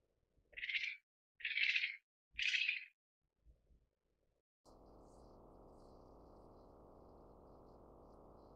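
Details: Australasian grass owl (Tyto longimembris pithecops) gives three harsh, hissing screeches about a second apart, followed by a steady low rumble of wind or background noise.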